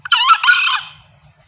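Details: Green junglefowl hen call, a lure sound said to draw green junglefowl males close, loud and clear; one harsh, raspy two-part note lasting under a second, a short burst then a longer buzzy note, over faint low hum.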